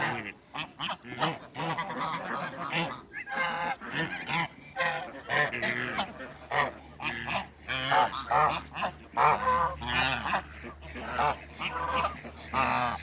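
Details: Male and female Toulouse geese meeting in a backyard give loud, raspy honks in quick irregular bursts, overlapping harsh nasal calls from more than one bird, dozens of calls with short gaps, over a faint low hum.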